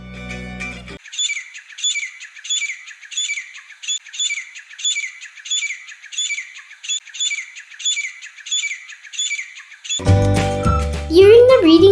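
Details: A Grey Francolin in Sri Lanka, a ground-living bird of open cultivated land, repeats its loud, shrill ka-tee-tar call almost twice a second for about nine seconds, with music before and after.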